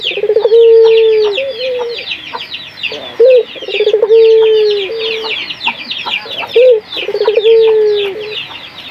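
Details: Local puter dove cooing, a lure recording meant to prompt other doves to sing. Long, low, steady coos with rolling trills repeat about every three seconds over constant high chirping from other birds.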